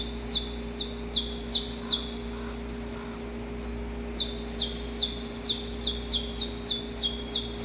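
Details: Pre-dawn courtship singing of a wild male saffron finch near a female: some twenty high, downward-sweeping notes in an unbroken chain, the pace quickening toward the end.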